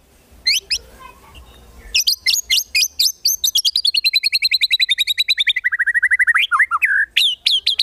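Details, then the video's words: Competition white-rumped shama song, 'tembakan' fill-ins: sharp upswept chips, a pause, then quick chips running into a long descending rapid trill that ends in low twisting notes and more sharp chips. "MASTERAN MURAI BATU FULL ISIAN TEMBAKAN MEWAH UNTUK MURAI BATU LOMBA"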